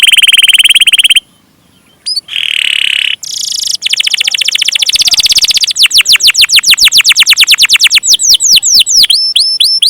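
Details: An actively singing canary delivers long rolls: a high ringing buzzy trill, a brief pause, then a harsh burst and accelerating series of sharp whistled sweeps running into rapid repeated chips.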